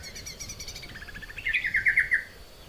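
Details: Softer lesser green leafbird singing meant for tutoring cage birds: faint high twitters give way to a louder run of quick, clear chirps repeated about five times before fading.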